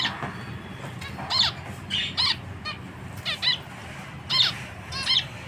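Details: Zebra finch producing sharp nasal beeping calls, about seven downward-bending notes in five seconds at uneven intervals, over low steady background hum.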